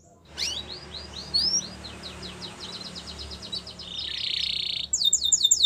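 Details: Yellow Belgian canary song over steady background hiss: a run of quick upward-sweeping whistles, then many rapid clicking notes, a buzzy high trill and a sharp chattering burst at the end.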